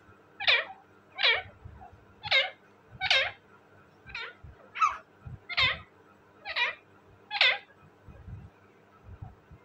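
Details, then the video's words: Parrot giving harsh, raspy squawks, about nine sharp calls in a row spaced roughly one second apart, with faint low background rumble between them. "talking parrot bird,parrot ki awazz"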